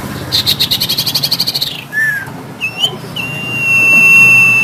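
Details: A black-headed sibia, whose head is said to turn fully black next season, sings while pumping its body. The song is a fast, high, buzzy trill sliding downward, then a slurred note and a long, steady, high whistle.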